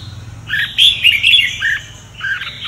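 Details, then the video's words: Red-whiskered bulbul of the Sông Kon song style, kept for training other birds' voices: a short burst of warbled, slurred notes, with a sharp high click mid-phrase and a faint low hum underneath. "Chào mào luyện giọng cực hay"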